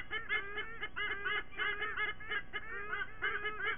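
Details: White-bellied sea eagle parents in Sydney, September 29th, calling together in their morning squonk duet: loud nasal honking notes, each one rising and falling, repeated in quick, uneven series, with a low background rumble.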